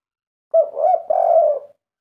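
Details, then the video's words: Spotted dove kept by an owner, giving a single kuk 3 song phrase: a soft opening coo run straight into a longer, throaty, slightly wavering coo, in a quiet setting. "Derkuku Sultan kuk 3 Suara bikin adem ayem pemiliknya"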